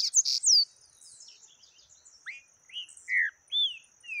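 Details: Yellow-bellied seedeater singing in the taquara rachada song style: clear whistled slurs, some falling from high to mid pitch, others short rising-falling notes, in a loose sequence with a faint steady high insect-like hum behind.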